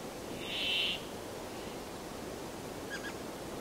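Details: One loud buzzy wheeze from a Brambling, followed two seconds later by a faint short chirp, over a low background hiss.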